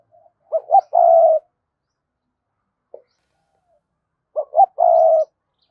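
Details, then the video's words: Spotted dove in a fast 'hai hậu' call: two clipped hoots then a sustained coo, repeated once after a near-silent gap of about three seconds. "tieng cu gay kich boi nhanh noi thúc gù gáy gọi hai hậu"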